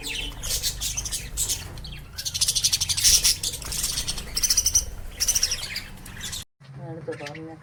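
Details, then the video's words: Lovebirds chirping: busy, high twittering chirps in rapid bursts for several seconds, then a short break and a person speaking briefly at the end. "Chirping sound of love birds"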